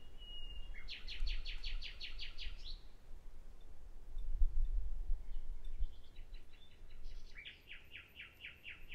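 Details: Common nightingale giving a whistled note then a fast, even series of about ten repeated chirps, a quiet pause with scattered soft notes, and another rapid repeated series, against gusty low background rumble.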